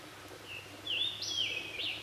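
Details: At an active nest in Jefferson County, West Virginia, on 3 June 2013, where a male and female feed young in the cavity, a red-headed woodpecker gives a short high note and then a harsh, rasping, rising-falling call about a second long.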